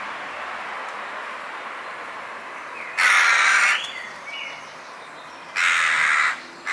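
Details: In a back garden in Weert, the Netherlands, young Western jackdaws utter two loud, drawn-out rasping calls about two and a half seconds apart, with a soft whistled note between them and a quiet background.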